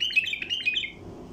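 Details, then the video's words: Wild bulbul call for luring bulbul flocks: a short, lively string of bubbling chirps lasting about a second, then a low steady background hum. "اقوى طياريات بلبل وحشي لفتح البلابل القافله"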